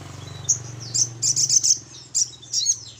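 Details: Little spiderhunter lure call, a series of short high squeaky chips and bursts over a steady low mechanical hum.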